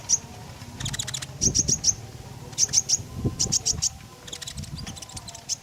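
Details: Lively Common iora song used to coax other birds into singing: quick runs of four or five piercing high notes, grouped in bursts separated by short pauses, with soft low background noise.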